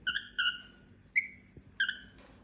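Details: A female cockatiel making happy sounds gives a few flat, nasal whistled notes and one quick rising chirp, followed by a brief rustle near the end.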